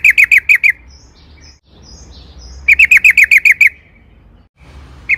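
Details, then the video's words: Sooty-headed bulbul giving a lure song meant to make other bulbuls sing: two short bursts of rapid, evenly spaced chattering notes separated by quieter, faint high twittering and low background rumble. "pancingan TRUCUKAN AGAR BUNYI"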